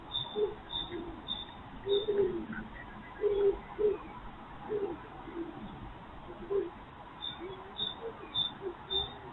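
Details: ["Common cuckoo heard in spring as the year's first, at breakfast: mellow low double hoots, clustered early then sparser, with high-pitched chirps from other birds at the start and end."]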